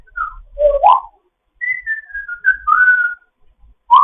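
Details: Morning chat of a foster African grey parrot: wavering whistles that dip and rise, then a long string of level whistled notes stepping slightly down in pitch.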